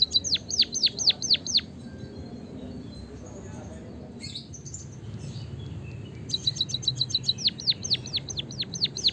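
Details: White-headed munia chirping, recorded to stimulate other birds to sing: a quick series of high, sharply falling chirps, then a gap with faint sounds, then another rapid run of downslurred chirps over a low background hum.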